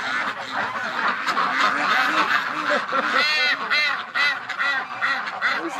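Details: Domestic ducks in a flock calling loudly on a warm December morning after quarter past eight, excited because the weather is nice; dense overlapping nasal quacks and honking calls fill the air continuously, many birds at once with loud bursts throughout.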